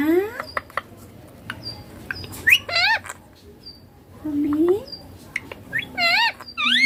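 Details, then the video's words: Indian ringneck parakeet, green pet said to speak 'papa' and 'mummy', mixing rising word-like syllables, wavy harmonic phrases and thin high chirps with sharp clicks, spaced irregularly indoors. "Ringneck green parrot loving papa mummy bolne wala"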